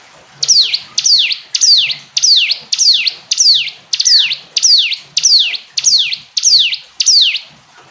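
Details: Eleven steady repetitions of a shrill hill prinia phrase, each a clean downward slide into an upward flick, spaced about 0.65 seconds apart against a quiet background.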